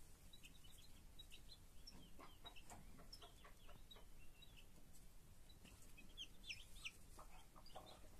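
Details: Broody foster hen with her chicks: quiet, high, short chick peeps scattered and repeated, some rising or falling, with a few soft low clucks against steady background noise.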